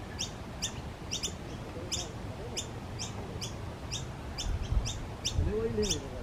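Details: Noisy miner repeating quick, high, paired chip notes at a steady pace over low rumbling noise, with a brief voice-like sound near the end.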